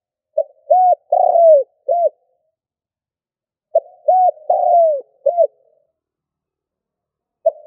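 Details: Decoy spotted dove giving the stuttering 'cà lăm' coo: short coos, a long falling coo and a final short coo, the phrase repeated about every three and a half seconds. A third phrase begins at the end. Quiet background.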